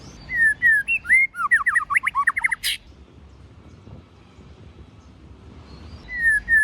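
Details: A white-rumped shama sings in the forest-voice style. Two mellow downslurred whistles lead into a fast, tumbling series of varied whistled notes, capped by a harsh rasp. Quiet follows, then another whistled phrase begins.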